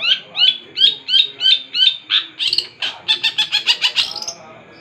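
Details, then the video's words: Long-tailed shrike singing hard: six evenly spaced, rising-then-falling whistled notes, followed by a rapid string of harsher, buzzier chirps that speed up toward the end. "cendet gacor ga ada ampun bikin satu kampung kumpul"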